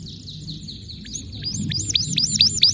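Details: Canary song with distinctive notes: a thin high tone leading into a quickening series of repeated hooked, falling notes that grow louder, above a low rumbling background.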